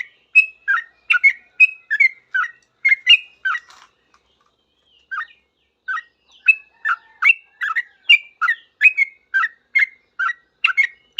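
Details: Sooty-headed bulbul responding quickly to other bulbuls with loud chattering song: dense bursts of bright, slurred whistles, a short pause near the middle, then an even faster stream of notes.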